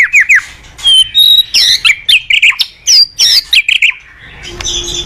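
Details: Morning song of a white-rumped shama used as a lure for training cage birds: high, sharp chirps and squeaky twisting notes in short bursts separated by brief pauses, fading at the end.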